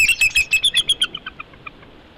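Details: Bald eagle on its live nest at Big Bear in the morning; a rapid, high, piping chatter of about a dozen notes that slows and fades away, with faint wing or nest rustling underneath.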